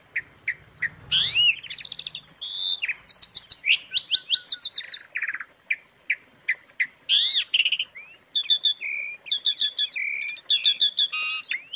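Asian pied starling song: a rapid, varied medley of bright whistles, sharp rising sweeps, chattering trills and clipped chirps, with no other sounds.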